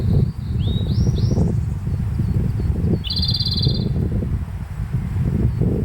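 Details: A Grey bunting's three rising whistles, then a Japanese robin's single high note leading into a quick, bright rattling trill; recorded in a bamboo-grass meadow at Konashidaira, Kamikochi, Japan, late May, against a low rushing background.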